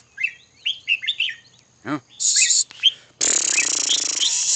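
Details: Red-whiskered bulbul singing a quick run of short, slurred, warbling notes in the first second. A dull thump follows, then a loud, harsh, hissing noise partly drowns out the later notes.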